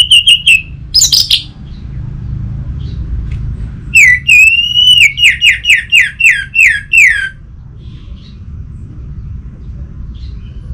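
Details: Orange-headed thrush song, used as a lure for silent kept birds: a clear slurred whistle and a buzzy rising note, a pause, then a quick run of about eight bright falling whistled notes with a soft low hum behind.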